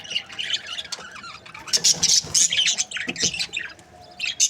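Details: Budgies, Australian parrots in breeding pairs, chattering in uneven bursts of high squeaky chirps and scratchy warbles, louder sharp notes clustered around two seconds and again near the end.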